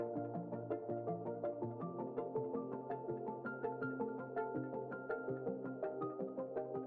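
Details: Continuous mallet-percussion music with repeated plinking notes and sustained tones, no animal sounds present.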